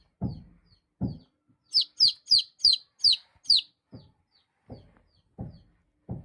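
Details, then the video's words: Baby chicks give a rapid run of six sharp, high, falling peeps, framed by quieter thin peeps and low knocking thumps at irregular intervals. "Chicks chirping"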